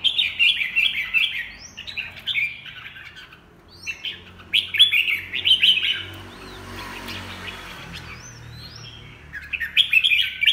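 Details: Rapid bursts of chattering, warbled notes from a red-whiskered bulbul, in clusters separated by quieter gaps, with faint low background hum.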